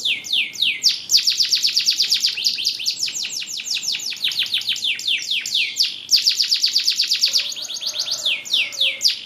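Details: AF (SZ) canary in continuous song: rapid trills of high downward-sweeping notes, about two per second rising to fast rolls, shifting between tours, with faint low background noise.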